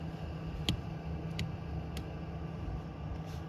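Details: Steady low rumble of an engine or fan with a few brief clicks, and no animal voice.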